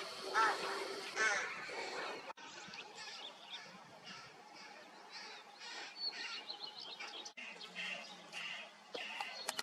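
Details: Rook chicks in the nest, recorded 16 May 2023 after a cold spring; harsh, raspy noisy calls come in overlapping bursts, roughly once a second, fairly faint, with two abrupt cuts in the sound.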